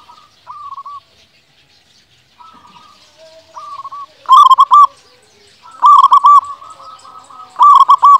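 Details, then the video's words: Zebra dove of a local strain singing as a lure for reluctant doves: soft trilled coos early, then three loud rolling, bubbly bursts of four or five notes at roughly 1.5-second gaps. "Pancingan perkutut lokal gacor untuk yang malas bunyi di jamin langsung nyaut"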